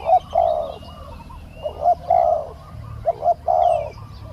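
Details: Spotted dove decoy luring a soft-voiced wild dove that was slow to come down; short clipped note then drawn-out rolling coo, repeated three times, with faint high twittering behind.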